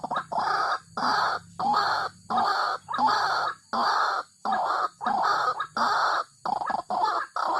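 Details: A White-breasted waterhen, a marsh dweller, gives harsh, croaking notes, each about half a second long, repeated steadily nearly twice a second with short gaps between.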